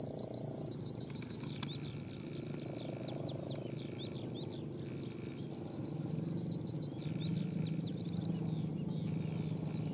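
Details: Phú Yên, Vietnam skylark used for decoying and fighting, pouring out dense runs of quick high trills and clipped chirps in repeated bursts, one sustained whistle near the start, against persistent low droning noise.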